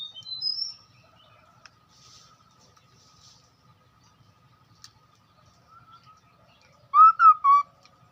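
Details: Hwamei lure song: a loud whistled phrase of three short notes near the end, rising then dipping, after mostly quiet moments with faint high chirps.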